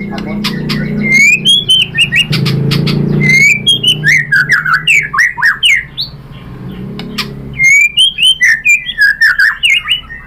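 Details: Lure song of the white-rumped shama to provoke a reply: varied slurred whistles and rapid repeated chirps, with a low humming background underneath.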